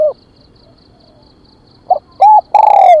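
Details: Spotted dove decoy calling to attract wild birds: a clipped coo, silence, then a soft note, a rounded coo and a long, loud, falling coo at the end. Faint high ticking runs in the background.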